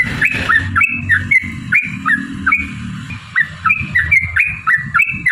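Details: Sooty-headed bulbul singing a long, rapid 'ropel' song to make other birds sing: bubbly whistled notes in quick groups, with low rumbling noise underneath.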